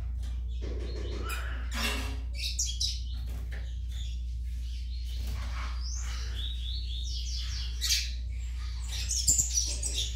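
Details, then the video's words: A Yellow-bellied Seedeater chick gives a rambling run of high, scratchy chirps and short twittered phrases over a steady low electrical hum. "FILHOTE DE COLEIRO BAIANO"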